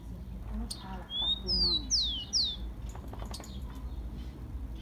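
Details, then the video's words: Rufous-collared sparrow song, played to warm up captive birds: a single phrase of a steady whistled note, then three clear high slurred whistles sweeping downward, over a low constant hum with faint background chirps. "CANTO DO TICO TICO MELHOR ESQUENTA DE TICO TICO PRA FOGUEAR ESQUENTAR SEU TICO TICO"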